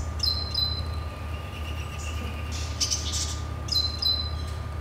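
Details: A pair of Great Tits (Parus major) cheeps under a house, giving short, thin, high cheeps in small clusters with a brief scratchy burst midway, over a steady low rumble like distant traffic.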